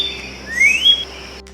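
A Northern Cardinal gives a single clear whistle that slurs upward, one note of its "birdie" phrase, over a faint steady hum.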